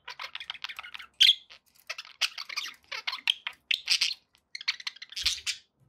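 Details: Budgerigars kept as company pets chatter in quick clicking and squeaky bursts, punctuated by a few loud sharp squawks.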